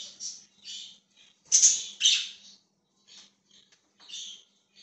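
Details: Budgerigar, dated 20 January 2023, chirping in short scratchy notes, two louder harsh squawks in the middle, the rest softer twitters spaced roughly twice a second; steady low hum behind.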